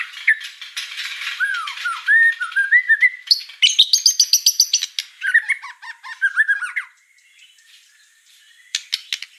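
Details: Murai batu, the white-rumped shama, in gacor song: varied warbled and slurred whistles mixed with scratchy notes, a loud rapid stuttering burst in the middle, then quieter clicks after a short lull.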